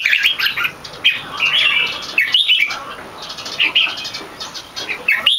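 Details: Singing red-whiskered bulbul, a competition bird not yet in full form, with loud clear keke phrases. Short, bubbly, whistled bursts come every second or so, with quieter gaps between.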